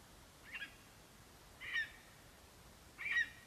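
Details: Male lesser spotted eagle at the nest on a live camera, 11 September 2021, having brought a vole and calling for his mate: three short high yelping notes, each stronger than the last, roughly 1.2 seconds apart, over quiet background.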